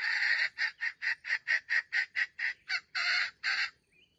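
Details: Stuttering crow of a red junglefowl kept as a trap bait bird: a harsh opening note, a rapid run of short grinding pulses, then two longer rasping notes.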